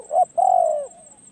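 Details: Spotted dove used as a decoy: one brief clipped note followed by a single long, smooth coo that drifts downward and fades.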